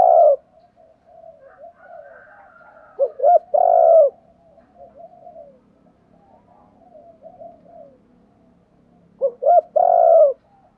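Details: Spotted dove cooing, meant to excite and lure wild doves. Loud, deep, rounded coo phrases of three notes come twice, about six seconds apart, with softer murmuring coos between them and no other sounds.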